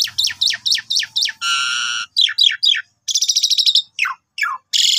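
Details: Asian pied starling song used each morning to prompt other starlings to sing: a run of quick descending whistled notes, then a long harsh buzzy note, more falling whistles and a rasping trill, with a faint low hum at the start.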